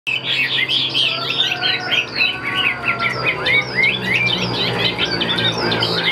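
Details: Caged Chinese hwamei offered for sale, described as about 80% tame and performing on a high perch with wing display: a dense, fast run of varied whistled and slurred notes, with steady low background hum.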